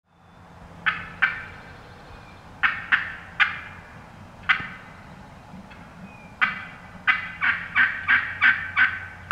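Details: Wild turkey hens calling in the woods, not hunters: loud raspy yelps, scattered single notes at first, then a run of about seven quick evenly spaced yelps, over a low steady background hum.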